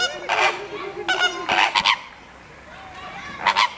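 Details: A few Greater flamingos (Phoenicopterus roseus) give harsh, nasal, goose-like honks, about five in under four seconds, some doubled, with faint background murmur.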